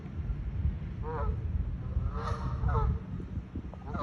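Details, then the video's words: Honking geese in a chase at SIUE, Illinois, giving short nasal honks with stacked harmonics near one second and again around two to three seconds, against constant low-pitched rumbling noise. "Geese honking and chasing!"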